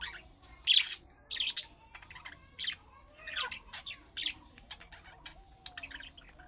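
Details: Budgerigar calls used to draw replies from pet budgerigars: sharp chirps and scratchy squawks early on, fading into softer, scattered twittering notes.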